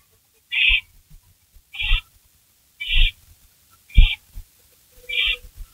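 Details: Barn owls at a nest before dawn, 16 May 2012, during a rabbit delivery; five rasping hissy screeches roughly one per second, each over soft low knocks of movement in the nest.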